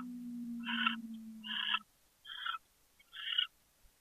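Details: Captive owl in Chula Vista, California, chittering on a January 2013 evening. Four rough, scratchy bursts come roughly every 0.8 seconds, the first overlapping a steady low hum that then stops.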